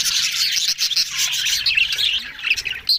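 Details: Several budgerigars talking at once: continuous high warbling chatter with squeaks and short whistled notes, dense and unbroken.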